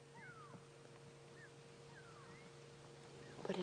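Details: On a morning game drive on 19 June 2016, go-away-birds give soft, nasal, downslurred calls, about four in three seconds, each sliding from high to lower, over a low engine hum; these are contact calls between birds, not alarm calls.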